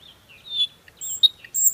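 A nightingale sings a brief run of clear, slurred whistles, then sharper, higher chips and a piercing high note, all within two seconds against a quiet background.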